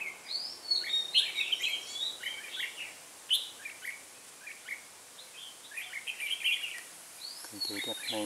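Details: Red-whiskered bulbul singing during bird trapping on 8 October 2017, used to lure a wild bird: bright, warbled two- to three-note phrases repeated in quick bursts with short pauses, some high thin notes, and a brief rapid knocking rattle near the end.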